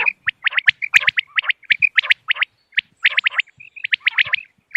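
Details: Common quail calls for luring birds during moonlit-night hunting, from 3 November 2025: a dense, nearly continuous series of short, sharp, high notes with brief pauses. Some bursts overlap, as if from several birds.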